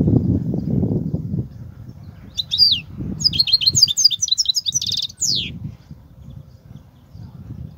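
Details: Goldfinch in kobia-style song: a few sliding chirps, then a fast tumbling series of twitters and a buzzy trill ending in a long downward slur, with low rumble around.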